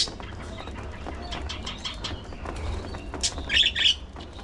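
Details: Pet budgies (parakeets) feeding on seeds and fresh vegetables, with soft pecking clicks and low background rumble, then a short burst of high, bright chirps near the end.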